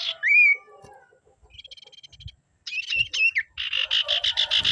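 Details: Common iora (Aegithina tiphia) song used to provoke rival ioras to sing: a rising whistle, a quick dry ticking trill, harsh buzzy notes, and a fast run of rasping notes about five a second.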